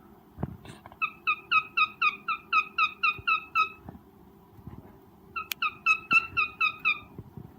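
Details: Cockatiel giving a mating call during breeding: two bursts of short, harmonic, downslurred notes repeated about four times a second, with a brief pause between bursts, over a steady low indoor hum and a few knocks.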